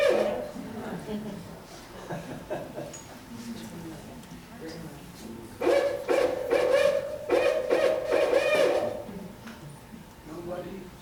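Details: Barred owl (Strix varia) giving its eight-note hoot, a run of deep, rhythmic hoots in the 'who cooks for you' pattern, loudest in the middle, with a person talking before and after.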